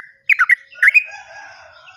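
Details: Sooty-headed bulbul, lure song for caged birds gone quiet: a few quick liquid, slurred notes in two short bursts, then a fading, wavering tone.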